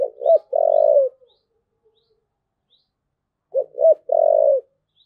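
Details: Repeated thúc gù phrase from a spotted dove, twice about three and a half seconds apart, each two clipped notes leading into a longer, gently falling coo.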